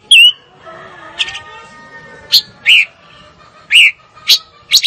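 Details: Fire-tailed myzornis giving a single curling whistle, followed by scattered sharp buzzy chirps with quiet gaps between them over a faint, steady background hum.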